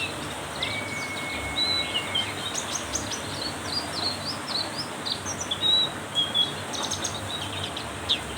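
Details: Singing in heavy rain, a Black-capped white-eye delivers a string of high, quick chirps and twitters, with a long level whistle early on and constant rain hiss behind.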